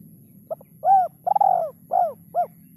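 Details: Kuk 3 style call of a spotted dove, a quick series of hollow coos, the middle ones longer and arching downward, with a faint low hum behind.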